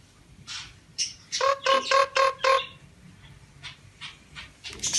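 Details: A pet common myna being talked to gives a few harsh, scratchy squawks, then a quick run of five nasal, evenly spaced talking-like notes.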